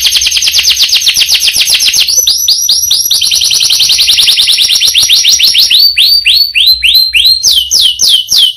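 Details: Canary singing a long roll: an extended rapid trill of repeated buzzy notes that gradually slows into distinct downward-sweeping whistled syllables repeated in a steady run.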